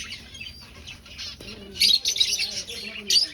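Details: Aviary finch colony in breeding season, seeking a nest; soft chirps at first, then a loud burst of high overlapping twitters in the second half, ending with a sharp call.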